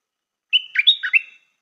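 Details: A new decoy Stripe-throated Bulbul used as a lure bird gives a brief, bubbly phrase of about a second, a few quick liquid whistled notes rising and falling, with no other sounds.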